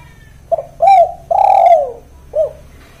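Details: Spotted dove calling in the 'kuk 1' style, used as a lure to draw other doves into calling: a short low note, then a longer coo and a drawn-out falling coo, ending with a brief clipped note, over a faint steady hum.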